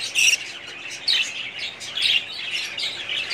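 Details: Budgerigars in a breeding colony, 2017: dense high chirps and squawks from many birds overlap, with louder bursts about once a second over constant twittering.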